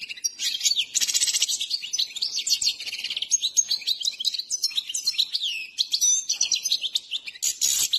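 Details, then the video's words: Trained saira goldfinch, Himalayan, singing continuously. A lively stream of high twittering notes, buzzy trills and quick slurred whistles runs throughout, loud and unbroken. "Saira full trainer full start Saira singing"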